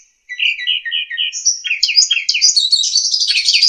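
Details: Asian pied starling (jalak suren), used as a master singer for training young birds. A brisk run of rolling chirps rises into a dense, scratchy high chatter that builds in loudness.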